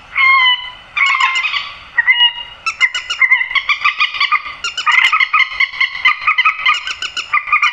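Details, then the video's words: Grey-headed swamphen calls used at night to lure birds into nets: loud nasal, honking notes in rapid irregular runs, some drawn-out squealing tones, with brief pauses between bursts. "tiếng trích ré tặng ae đánh chim đêm bao đâm lưới"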